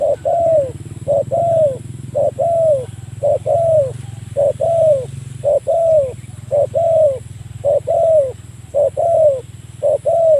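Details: Spotted dove used as a lure, calling a rival: a long steady run of low coos, short note plus longer falling note, repeated about once a second for ten seconds, over a low droning hum.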